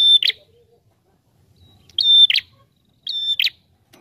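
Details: A visiting prinia, possibly red-headed, sings three loud, high, chirping phrases about once a second, each opening with a thin steady whistle and ending in a sharp buzzy burst; used as a lure.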